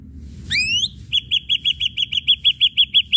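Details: Lure recording of an Ashy drongo, played to draw other birds into song. A single rising swept whistle leads into a fast run of about thirteen short ringing notes at a steady pitch.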